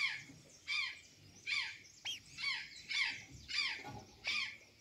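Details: Azure jay at Santa Catarina taking banana and sweet potatoes, uttering separate harsh, buzzy squawks with a falling tail, spaced about every three-quarters of a second against quiet surroundings.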